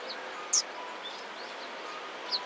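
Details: Eurasian tree sparrows at a Tenmangū shrine in Japan, recorded 17 October 2016, give two brief, piercing high chirps about two seconds apart over a constant outdoor hiss.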